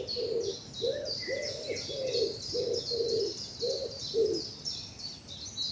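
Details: Bluebell woodland in southern England at early morning in spring: a low, steady cooing repeated roughly every half second, with high chirping song from other birds above it.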